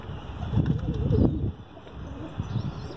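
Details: Pigeon kept for sale, giving deep, muffled coos in two bursts, the first longer and louder, then a quieter coo near the end, over low rumbling noise.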